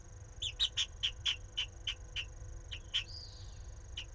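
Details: Pallid swift at a nest in Jerez de la Frontera, Cádiz, picked up by a live nest camera during a run of fights: a faint series of short, high chirps about every quarter second, with a soft low hum underneath.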